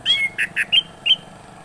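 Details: Orange-headed thrush singing in a lively, nonstop 'gacor ngeroll' style: a short burst of five clear whistled notes, the first a rising slur, the rest short bright chips evenly spaced, over quiet background.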